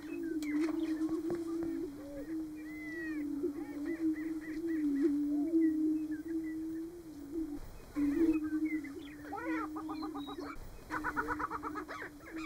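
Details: Greater prairie-chickens booming on a lek in Nebraska in March: an almost continuous low droning moan carries for several seconds, overlaid late by bursts of quick, chattering cackles.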